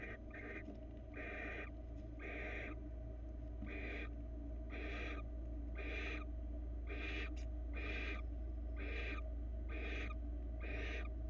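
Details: At a Florida barn owl nest cam, with a male delivering a rabbit to his mate, harsh breathy hisses repeat roughly four times a second in a regular series over constant low background hum.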